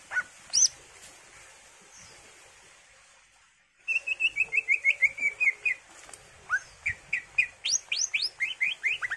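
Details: Greater green leafbird song: a long run of quick, clear, evenly repeated whistled notes, then bright rising slurred phrases in rapid series, after a brief opening note and a pause.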